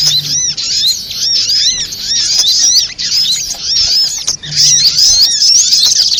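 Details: Spiderhunter calls played as a trapping lure, a steady torrent of high twittering chirps and arched squeaky notes, overlapping, with a brief break near the middle.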